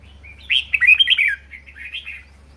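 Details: A lively caged red-whiskered bulbul sings its ché song: a rolling run of liquid whistled notes that rise and fall quickly, trailing off into softer chattering warbles, with a faint hum underneath.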